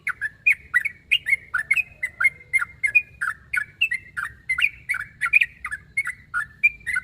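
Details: A sooty-headed bulbul calls out a challenge to a rival: steady, lively chattering of short, bubbly, rising-and-falling notes, about three phrases a second, over a quiet low background hum.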